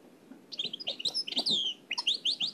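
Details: Nightingale singing in the Oued El Alleug style, transferred from an old cassette: a brief burst of high chirps that ends in quick, repeated, downward-sweeping whistled notes.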